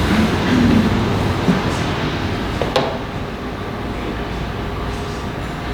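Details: Steady engine-like rumble and indoor room noise, with a sharp click just before the third second and no animal voices.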